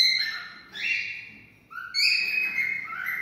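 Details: Cockatiel song meant to stimulate mating, a few drawn-out whistles rising and falling in pitch, separated by short gaps, bright and clear with strong overtones.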